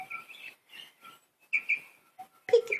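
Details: Pet budgerigars with soft whistled warbling notes, a pair of brighter chirps midway, and a louder scratchy burst at the close.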